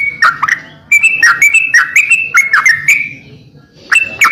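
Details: Greater green leafbird singing energetically on a masteran training recording: loud, clear whistled notes with sharp click-like onsets, some sliding down and others flat, in quick phrases with a brief pause near the end.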